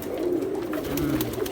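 A pigeon gives low, soft, throaty cooing notes that swell and fade.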